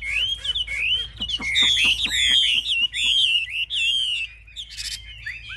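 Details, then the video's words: A fierce-fighting caged Chinese hwamei, wings raised and tail fanned, pours out a loud dense song of bright overlapping whistles and buzzy strokes, fading to softer notes near the end. "Họa mi chơi cánh cao đuôi xòe"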